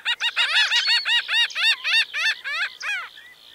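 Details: Rapid laughing series from a Laughing gull: about a dozen short, nasal, arched notes, roughly three per second, delivered evenly and fading toward the end.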